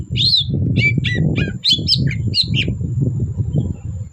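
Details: Long-tailed shrike, a lure recording to make silent shrikes sing: a rapid string of sharp chirps and short whistled notes, some falling in pitch, over steady low rumbling and thumping noise.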